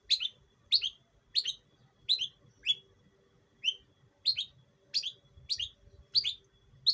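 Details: East Javan long-tailed shrike, raised from a chick, calling as a training lure: strident, slightly buzzy chirps repeated roughly every half to one second, sometimes in quick pairs, with faint low hum behind.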